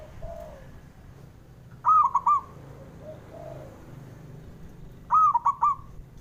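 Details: Two loud three-note coo phrases from a male zebra dove, about three seconds apart, used to stir reluctant birds into singing. Soft, low cooing can be heard in the gaps.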